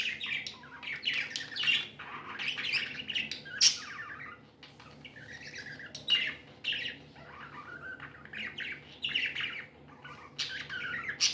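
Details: Happy pet budgerigars chirping indoors: irregular clusters of short chirps and buzzy warbles, separated by brief quieter pauses, with a few sharp clicks.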